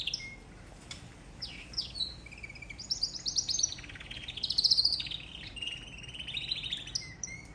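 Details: Canary singing a varied, rolling song: rapid trills and sweeping whistled notes. It rises into a loud, dense trill around four to five seconds, then settles into lower rolling phrases.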